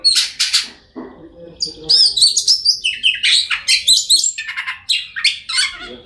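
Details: Oriental magpie-robin singing to coax mute birds of its kind into song; opens with a chattering burst and a soft low warble, then a long run of sharp, varied notes in quick succession.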